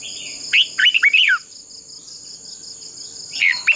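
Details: Red-whiskered bulbul decoy giving a fighting song to stimulate other bulbuls: a lively phrase of four or five loud, downward-slurred whistles, silence, then the start of another phrase. A persistent high whine sounds in the background.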